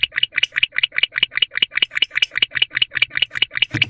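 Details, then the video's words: Barn owl calling from its nest box before dawn, 4:14 am, 16 December 2023, for a mate still away: quick, regular string of scratchy chittering notes, roughly five each second, ending with a muffled bump. "BeauTheBarnOwl Calling to Ava Who Still Hasn't Returned"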